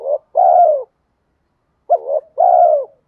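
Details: Lure-style cooing of a spotted dove: two rough, low phrases in quick succession, each a short clipped note and then a longer vibrating coo that slides downward at the end.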